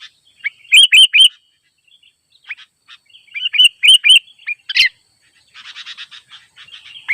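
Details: Wild sooty-headed bulbul calling rivals near a simple trap as birds gather: two bursts of loud, clear, hooked whistled notes, rising then dropping, three to four per burst, followed by softer scattered chatter.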